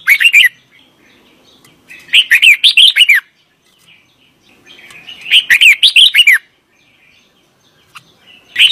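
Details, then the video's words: An Indian red-vented bulbul gives bursts of cheerful, bubbly chirps, each phrase lasting about a second and repeated every few seconds. "বুলবুলি পাখির ডাক Red Velvet Bulbuli Bird Sound"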